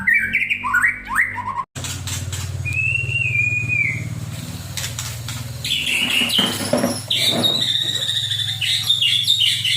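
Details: White-rumped shama singing at a bird ring in Kajen, Pekalongan: short whistled phrases, some sliding and warbled, then a denser run of high bright notes, over a steady low engine-like hum.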